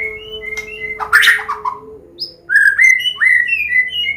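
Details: Captive white-rumped shama of the Medan type singing a combination song in the ngeplong style, used to teach young birds to sing: clear whistled notes, a harsh burst, then rising whistled phrases, over a steady low hum.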